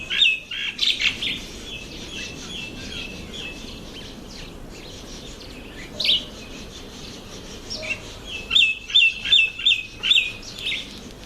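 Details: Red bishop during breeding season: loud, buzzy chattering bursts of rapid repeated notes open the recording, a pause with scattered chirps follows, then another sizzling run of fast notes near the end.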